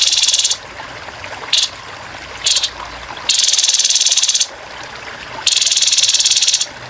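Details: Harsh 'tembakan kasar' of a grey-headed babbler, a training recording for cage birds backed by trickling water: a short buzz, two clipped bursts, then two long grating rattles over a second each.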